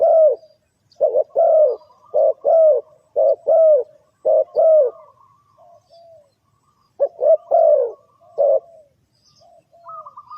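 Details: Spotted dove calling as a lure for trapping birds: coo phrases of two or three short notes and a longer falling coo, repeated about every second, with a pause midway. A thin high whistled tone drifts faintly in the background.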